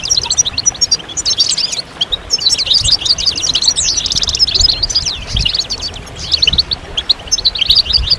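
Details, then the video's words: European goldfinches calling as a group to spur males into song: lively high-pitched twittering with rapid chirps, a fast buzzy trill near the middle, and quieter low background noise. "بتبتة الحسون أفضل البتبتات الجماعية stimulation de chant chardonneret"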